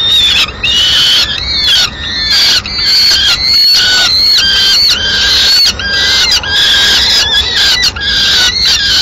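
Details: Nest of peregrine falcons in Madrid, mid-morning, the female delivering pigeon remains: dense, overlapping shrill calls with wavering, sliding notes, almost continuous with brief breaks.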